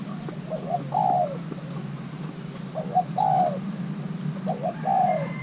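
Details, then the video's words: Young male Thai-hybrid spotted dove being paired repeats a three-part coo phrase about every two seconds: two short soft notes, then a louder drawn-out coo sliding downward, over steady low background noise. "Kích xem nước chơi của gáy thái lai trống tơ đang ghép đôi"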